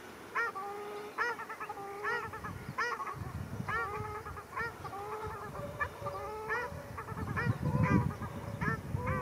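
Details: Ruddy shelducks fighting at Arucas, Gran Canaria, on 13 February 2021: a steady run of nasal, honking calls, each with stacked overtones, repeated roughly every half second to second, over a low rumbling background.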